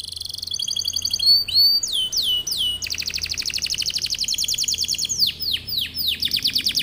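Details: Canary bait song with varied tours: ringing downward whistles, a long rapid rattling trill, then repeated sweeping descending notes, over faint background hiss.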